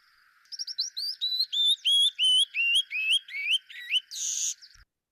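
Canyon Wren male song: a cascade of about a dozen clear whistled notes tumbling downward in pitch, ending in a harsh buzzy note, over a faint steady hum.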